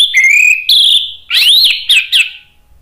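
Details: Orange-headed thrush song used as a lure recording to provoke another thrush to answer: loud clear whistled phrases, a long rising then level note, then slurred swooping whistles and two short sharp notes, ending in quiet.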